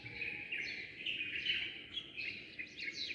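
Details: Dawn chirping of many sparrows. High, rapid twittering notes blend into a steady chatter, with several sharper chirps rising above it near the middle.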